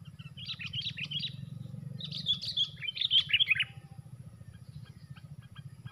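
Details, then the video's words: Sooty-headed bulbul calls heard during a bird-trapping session with fighting birds, four against one: bursts of bright chirpy notes in two clusters, then fainter scattered chips, over a steady low hum. "4 lawan 1 Mampukah Sang Fighter Mengalahkan nya"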